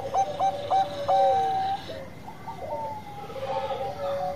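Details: Bangkok-type zebra dove singing vigorously: a few short stuttering notes, then a clear level coo that steps down, followed by softer overlapping cooing lines in the background.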